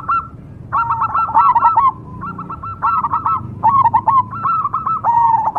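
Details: Zebra dove of the cemani variety giving its song: clusters of rapid, rolling coo notes separated by brief gaps, several phrases in quick sequence with a slightly lower drawn-out ending coo, and a soft background hum.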